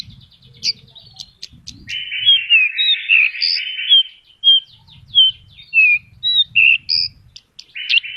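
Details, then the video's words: Vigorously singing Horsfield's bush lark, its gacor song full of isian phrases: a continuous warbling, twittering stream of varied high notes and slurred whistles with short pauses, over faint low sounds. "BURUNG BRANJANGN GACOR FUL ISIAN"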